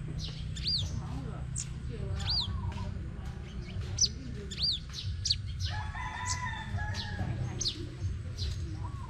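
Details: Competition song of a crimson sunbird in Tân Phú, Đồng Nai, Vietnam: piercing downswept whistles in quick doublets and triplets, with lower warbled calls from other birds midway and a low rumble beneath.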